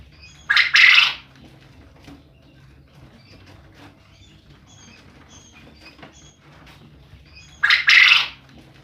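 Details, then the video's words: Male quail whose calling keeps the neighbours awake: two loud, harsh, buzzy bursts about seven seconds apart, each under a second long, with faint clicks and rustling in between. "SUARA BURUNG PUYUH JANTAN"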